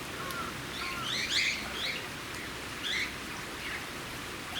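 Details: Cockatiel at Campbelltown Forest of Wild Birds, Saitama, Japan, on 31 March 2018: scattered short whistled chirps, some rising and falling, partly overlapping, with bursts of higher twittering over a steady hiss.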